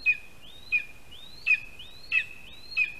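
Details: Lesser spotted eagle chick at a spruce-tree nest in Latvia, being fed by its father at 8:14 AM on 12 July 2021; high whistled calls, each rising then held level, repeated about every 0.65 seconds, over a quiet background.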